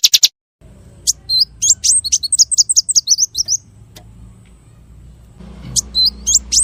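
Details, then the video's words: Small bird singing a varied masteran phrase with tembakan bursts. A rapid chattering series of very high, twisting notes runs for about two seconds, breaks off, then resumes briefly over a low rumble. "MASTERAN BURUNG KECIL FULL TEMBAKAN VARIASI MEWAH"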